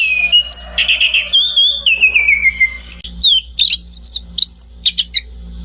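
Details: Whistled orange-banded thrush song with a long falling whistle, chattering trill bursts and short high notes, delivered in quick varied phrases over a constant low electrical hum.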